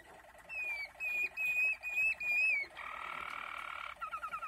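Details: Waterslager canary, Malinois type, singing: drawn-out pure whistled notes gliding slightly up and down, then a harsh rushing tour, ending in a fast rhythmic series of bubbling notes.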